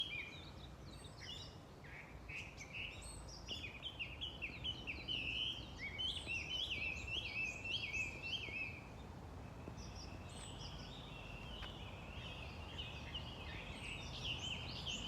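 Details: Chinese hwamei singing: a long run of rich, varied whistled phrases, rapid slurred notes and trills rising and falling, building in the middle and easing off, heard at some distance over steady broadband background noise.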